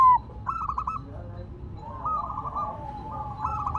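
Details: Silver-coloured zebra dove kept cooing while placed on the ground; one brief loud note, then softer rippling, trilled coo phrases that overlap with other distant doves.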